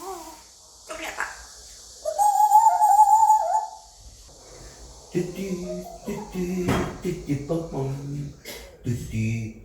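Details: Male African grey parrot, five years old, kept as a pet and trying out English; a held wavering whistle of over a second, then a stretch of human-like voiced syllables in a small room.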